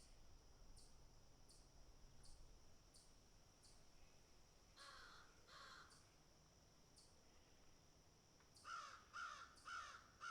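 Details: Crows picking and eating; faint ticking and a couple of muffled caws, then four loud raspy caws in a rapid series near the end.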